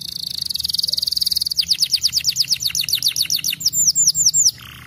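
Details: Canary song meant to prompt young canaries to sing and roll: a rapid buzzy trill of high notes that changes into a series of downward-sweeping whistled notes, slowing toward the end, over a low background hum.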